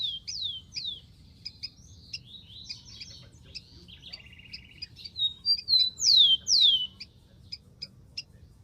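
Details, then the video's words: Rufous-collared sparrow singing in the wild. Two downslurred whistles open the song, followed by a scatter of chips and a short dry buzzy trill. A final burst of loud falling whistles follows, over faint rumbling background. "BURUNG KICAU"SPARROW RUFOUS"(KICAU MANIA)Full Gacor di alam liar"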